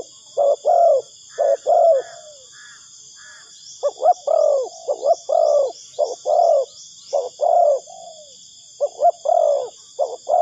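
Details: Spotted dove call used to lure birds into a trap: runs of short, husky low coo notes, some ending in a falling slur, given roughly once a second against a continuous high-pitched whine and light chirping.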